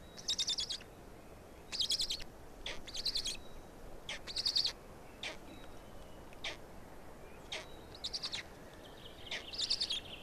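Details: Estonian black stork young at feeding time on 16 May 2019, 16:58, with two being fed. Raspy, breathy wheezes are spaced irregularly, mixed with short clicks and faint thin whistles.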